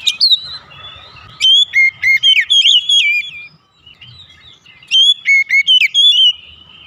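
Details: Home-kept oriental magpie-robin singing as a lure for other birds: two loud phrases of rapid, repeated whistled notes, each jumping between high and lower pitches, separated by a quiet interval with a soft continuous tone.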